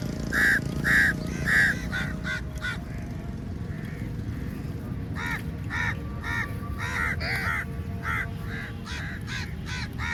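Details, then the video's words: Many crows at feeding time, crowding onto the food; three loud harsh caws open the recording, followed by a dense run of overlapping cawing from several birds over a low droning background. "Crow Sounds Very Loudly"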